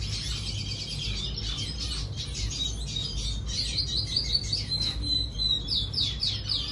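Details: Red siskin singing to lure a female: a fast, continuous twittering of high chirps and short buzzy trills, with quick rising and falling notes running without pause, over a steady low hum.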